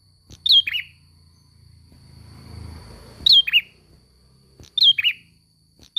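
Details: Ashy prinia song of sharp descending chirps paired with a lower buzzy note, given in spaced bursts, while a low rumbling noise swells in the middle and a constant high tone runs beneath.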